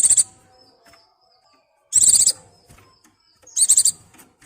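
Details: A white-eye in breeding condition, calling for a mate, gives three short bursts of thin, very high, rapid twittering notes about every two seconds, with quiet gaps between.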